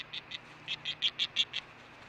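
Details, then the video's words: Female osprey on the Hellgate nest, 10 August 2013 at 11:40 am, making a buzzing sound after the male delivers fish, recorded by nest cam. Seven short buzzy pulses come in quick succession. "Hellgate Osprey Iris makes buzz sound"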